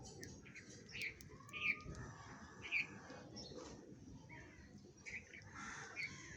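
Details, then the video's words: Feeding sparrows give scattered sharp chirps, single or in quick pairs, with a thin, drawn-out note partway through and faint low background noise. "Sparrows are eating food । Sparrow feeding । Sparrow Sound Effect"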